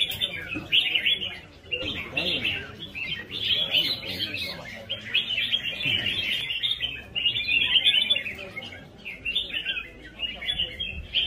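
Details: Red-whiskered bulbul singing during a competition, long sustained stretch of rhythmic, bubbling whistled phrases repeated with brief gaps, faint voices and background activity in the lower range.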